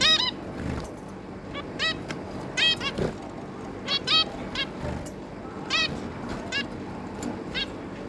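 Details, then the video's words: Three juvenile zebra finches with their parents, 11 May 2022, produce irregular nasal honking call notes, several paired closely, over a low steady hum. "Zebra Finch"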